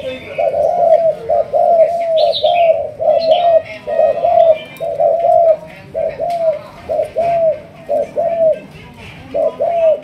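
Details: Spotted dove, Malaysian line known for thúc gù cooing, trained as a decoy: a rapid, steady run of low rounded coos in short pairs, nearly continuous for ten seconds, with a brief higher chirp from another bird.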